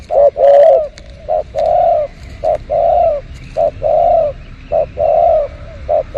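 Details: Loud, close spotted dove behind house plants, a luring recording: crisp short coos alternating with longer vibrating coos in a steady rhythm, little else heard besides a few faint clicks.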